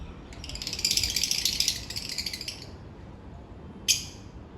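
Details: African lovebirds in their daily routine: a buzzy, rattling chatter of fast high squeaks lasting nearly two seconds, followed after a pause by one sharp chirp.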